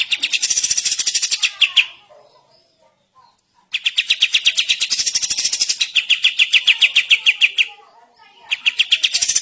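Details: Kapas tembak bulbul in a master recording for training songbirds: long loud streams of rapid chattering notes with a harsh, bright, high rattle layered over them, separated by quiet gaps with faint low calls.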